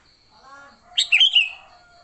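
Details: Sooty-headed bulbul fighting song, recorded without other birds' songs mixed in, used to lure bulbuls: after faint low murmurs, one bright burst of bubbly, slurred chirps rising and falling, with a steady high hum behind.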